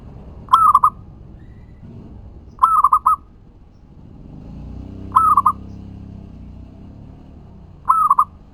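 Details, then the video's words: Local zebra dove singing as a lure to provoke other doves to answer: short bubbling cooing phrases of a few rapid notes, repeated four times at irregular gaps of two to three seconds, over faint low background rumble. "Perkutut lokal GACOR suara ampuh untuk pancingan langsung nyaut"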